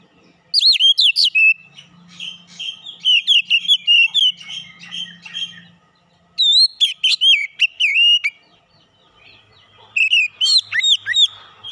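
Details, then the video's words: Lure song of an Oriental magpie-robin used to provoke rival birds into full singing: bursts of loud, varied whistles, sweeps and chattering notes in three bouts separated by short pauses, with a faint low hum underneath. "PANCINGAN KACER LANGSUNG PANAS BONGKAR ISIAN"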